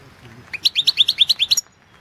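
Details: Competition recording of a European goldfinch singing in the 2016 world championship: one short phrase of about eight bright, rapid, evenly spaced chirping notes, each sliding upward, then abrupt silence.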